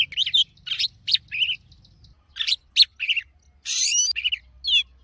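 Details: An Oriental magpie-robin, a "forest voice" bird used for song training, sings a varied run of clear whistles, trills and slurred notes in short bursts, some rising and some falling, with faint low hum beneath.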